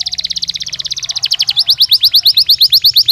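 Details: Belgian canary singing naturally, used as daily stimulus for training canaries: a fast, bright trilled series of rapid notes, shifting after a second and a half into louder downward-sweeping whistled notes repeated about three per second.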